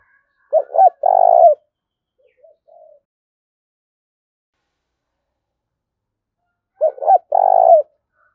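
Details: Spotted dove used as a decoy, calling hard to stir up a rival male: two phrases about six seconds apart, each made of two quick coos and a drawn-out vibrating coo, with faint soft notes in between.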